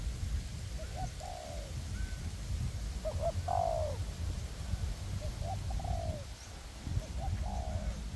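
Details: Spotted dove cooing during decoy trapping in a forest, two decoy birds luring a wild dove on a windy day. Scattered quiet coos and one sharper, louder rolled note near the middle, mostly buried in strong wind noise.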